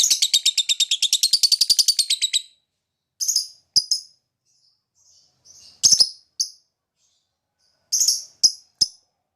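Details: Lovebird ngekek chatter meant to trigger other lovebirds to sing: a fast buzzy rattle for over two seconds, then scattered short high chirps separated by silences.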